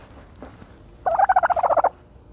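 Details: One rolling gobble of about a dozen fast pulses from a turkey dust bathing, preceded by faint scratching.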